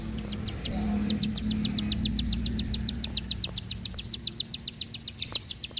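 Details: Bar-winged prinia delivering a long, steady run of thin, high clicking notes at about four per second over a low droning hum and insect-like background.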